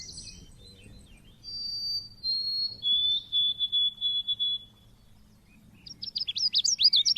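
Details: Indonesian pleci (Oriental white-eye) lure recording: clipped high notes and steady thin whistles, then a rhythmic row of short notes, finishing with a rapid tumbling twitter.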